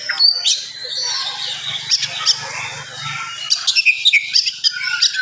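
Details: Oriental magpie-robin's rapid morning song, aimed at stirring up other magpie-robins; thin high whistles and quick clicking notes, some soft, with a faint low hum underneath.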